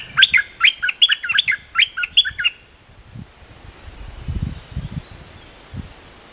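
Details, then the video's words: Cream-vented bulbul training song for young birds: a rapid phrase of bubbling, chattering notes lasting over two seconds, followed by low rumbling background noise. "เสียงนกดอกแตงEp.173 เพลงหัดลูกเสอ/ลูกใบ้ เพลงสั้นๆน่าฟัง Suara pikat merbah lekir gacor"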